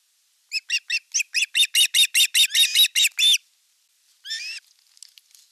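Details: Ospreys on a nest in Western Finland, 5 August 2024, the elder chick attacking its sibling at fish delivery: an accelerating string of about fourteen shrill whistled notes, then a pause and a single rasping squeal.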